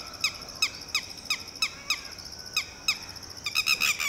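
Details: Red-wattled lapwing hen in panic as a Shikra raptor swoops low near her newly hatched chick; sharp, falling pip notes repeated roughly three times a second, ending in a rapid, loud, jumbled burst.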